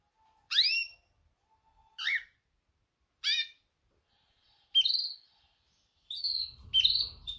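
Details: Female canary's mating call to males: harsh, downward-sliding notes repeated roughly every one and a half seconds, then a run of brighter, quicker chirps, with a low rumble at the close.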